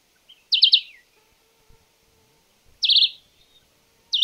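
Red-eyed Vireo singing short, high, warbled phrases of a few quick slurred notes, with a pause of about two seconds between phrases, in a quiet setting.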